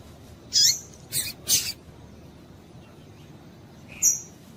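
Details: Double-collared seedeater female calling, used to stimulate males. One bright chip with a falling lower trace, then a quick double of sharp notes, a long pause, and a final thin high whistle.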